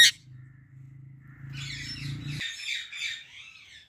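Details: A female Indian ringneck parrot in a blossoming apple tree gives a run of raspy, chattering high squawks after a sharp click, over a low steady hum that then cuts out.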